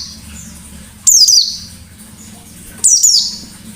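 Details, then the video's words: Two loud, high, harsh descending bursts from a lively wild-type white-eye, nearly two seconds apart, each breaking into rapid scratchy notes, with a soft thin whistle and low background hum. "Burung Pleci Gacor Ngalas Nembak || Pancingan Pleci Ngalas"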